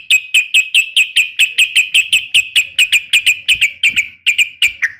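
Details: Female yellow-vented bulbul calling a male, a steady unbroken series of sharp bright chirps, about four per second, continuing for five seconds.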